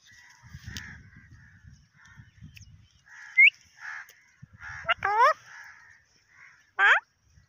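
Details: Pakistani parrot speaking Urdu: low mumbled syllables, a rising whistle, then loud harsh squawks near the end, with faint low rustling.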